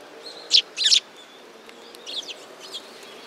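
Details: Several sparrows at a Tenmangu shrine, 15 November 2016: two loud bursts of sharp, high chirps near the start, then softer scattered chirps over a quiet background.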